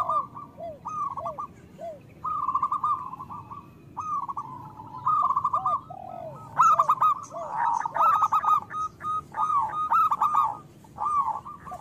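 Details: Local zebra doves singing as a lure to prompt lazy doves to sing: bright rapid trilled coos around a steady pitch, with short falling hooked notes between phrases, several birds overlapping.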